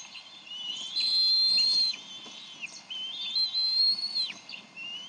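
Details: Bald eagles, 30 May 2012, at a Decorah nest where the male and female argue over a fish for their eaglet. Loud, drawn-out high whistles, each sliding down at the end, two long bouts with chattering between.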